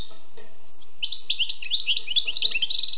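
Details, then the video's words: Wild European goldfinch giving a quick sequence of bright, chattering twitters that speed up and grow denser, over a soft low background murmur. "le doux chant du chardonneret sauvage"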